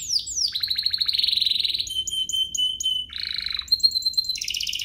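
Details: Canary song meant to stir other canaries to sing: falling opening notes, a long buzzy trill, a steady flat whistle under soft pulses, then a throaty rattle and a final high trill.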